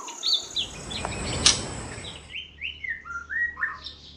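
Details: White-rumped shama of the golden variety, a kept bird being sunned in the morning; a loud burst of broadband handling noise first, then a quick run of clear rising and falling whistled notes in the second half.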